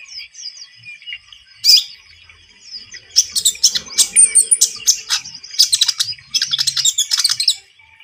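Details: Javan munia song played as a lure for bird trapping: thin, high twittering chirps, quiet at first, then a dense run of rapid sharp notes and buzzy trills from about the third second onward.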